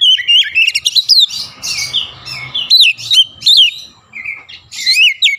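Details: Oriental magpie-robin pouring out song with borrowed Javan myna sounds: loud, continuous whistles, harsh chatters and looping notes with hardly a pause, followed by a spoken "yeah".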